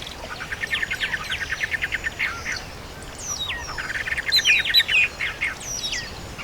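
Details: Country birds singing in the countryside: rapid trains of high chirped notes repeated about twice a second, then sharp descending whistles and bright chirps from several birds, over a steady soft background hiss.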